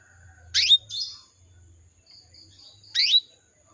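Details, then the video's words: Female canary calling males: a sharp upswept chirp followed by a softer buzzy note, then another chirp about two and a half seconds later, over a low hum. "PANCINGAN KENARI BETINA MEMANGGIL JANTAN"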